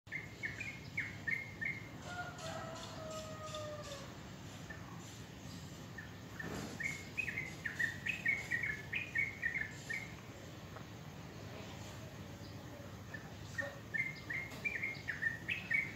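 Wild birds sing in the morning with bright, chirping notes and a few longer sliding whistles.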